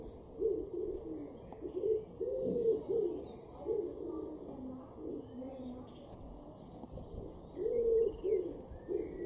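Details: In a garden in Norden, East Frisia, far northwest Germany, in April 2021, a common wood pigeon gives deep, soft cooing in repeated phrases of muffled hoots, with faint high chirps from small birds in the background.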